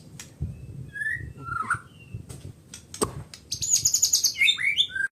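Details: White-rumped shama with a few quiet scattered whistles, then a fast burst of high, sharp repeated notes running into slurred whistled phrases toward the end; low rumbling noise underneath.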